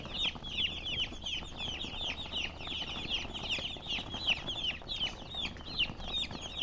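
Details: Chickens peeping rapidly, about two to three high falling chirps per second blending from many birds into a continuous, lively twitter.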